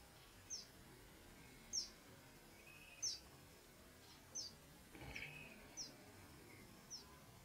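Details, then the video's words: Malachite kingfisher at Liwonde, Malawi, giving thin, very high, sharp single notes about every 1.3 seconds, seven in all, with faint lower chirps and soft background noise. "Malachite Kingfisher"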